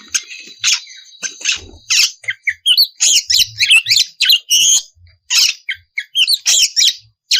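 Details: Lure song of an Oriental magpie-robin (kacer), delivered continuously to goad rival birds into answering. Dense run of high, scratchy bursts and quick whistled phrases, each lasting under half a second, with short pauses between them.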